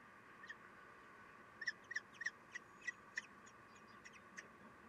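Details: Common kestrels at a nest on 3 June 2021 at 9:12, the female feeding the chicks and shifting to reach all of them; a burst of short, high, sharp squeaky calls in quick series, fairly faint, over steady background hum.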